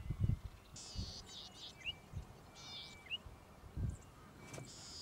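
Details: Golden-headed cisticola recorded in Victoria, Australia, in June or July 2013, giving wheezy, rasping buzzes separated by single quick rising liquid notes, several seconds apart, with faint steady tones and low gusts of wind buffeting the microphone.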